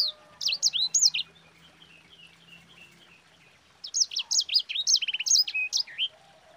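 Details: Yellow-fronted canary (sanger) rolling song for tutoring other birds: a burst of bright whistles, a softer quiet stretch, then renewed rapid chirps, a short buzzy trill and sweeping notes.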